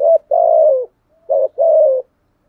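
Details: Spotted dove used as a decoy to lure wild birds, cooing two low phrases. Each is a brief wavering note followed by a longer, steady, slightly falling coo, with a short pause between them.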